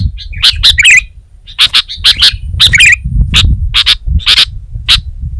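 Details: Energetic gacor singing of a sooty-headed bulbul (kutilang): bouncy warbled phrases early, then evenly spaced sharp high notes, with a noticeable low rumbling background.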